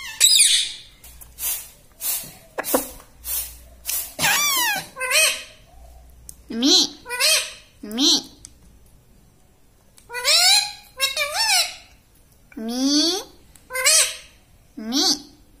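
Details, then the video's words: Talking pet parrot, called a tota, said to say 'Mitthu', 'papa' and 'mummy'; a long run of short harsh, nasal word-like bursts with rising and falling pitch, some quick clicks early on, indoors. "Talking parrot _Mitthu Mitthu _ Tota _ Papa Mummy Bolne Wala Tota"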